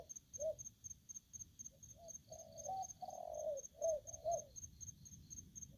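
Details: Spotted dove kept as an aggressive decoy bird, giving a run of low, rounded coos that swell in the middle, some long and slurred, some clipped, over continuous pulsing insect chirps.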